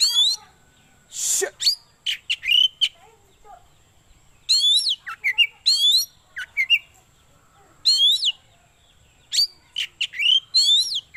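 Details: Oriental magpie-robin song of the kind used for luring birds, tutoring birds at home and song contests: bursts of sharp, rising and falling whistles and chirps repeated every second or two, with one brief harsh noise near the start.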